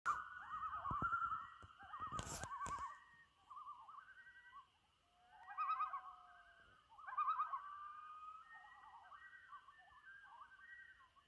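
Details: Loons calling at sunset on Trout Lake in May 2019: wavering, quavering tremolo phrases around mid pitch, repeated in bursts with pauses, a steady high hum in the background and a loud brief knock near the start.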